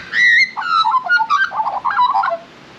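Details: Australian magpie singing while being offered lunch: a clear whistled note, then a rapid run of warbled, fluty phrases that step down and rise again, rich and musical, ending softly; a person speaks before and after.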